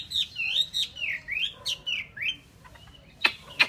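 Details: Chinese hwamei kept as a cage bird, singing a string of smooth swooping whistles, each dipping and rising, followed by two sharp clicks.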